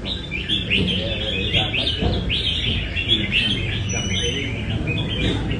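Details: A Nam Đông red-whiskered bulbul rehearsing its song at a cafe in Đà Nẵng, Vietnam, gives a run of quick chirpy whistled notes, rising and falling, over a low murmur of cafe noise.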